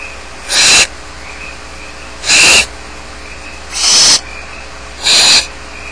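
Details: Four loud, sharp-edged hissing screeches from barn owl young by themselves in the nest at Starr Ranch, begging roughly every one to one and a half seconds.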